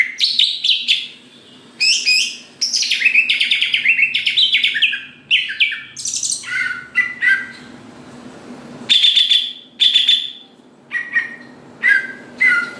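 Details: Greater green leafbird singing to provoke rival leafbirds into song: rapid tumbling chirps and slurred whistles run together, then shorter bright phrases spaced about a second apart, with a steady low hum beneath.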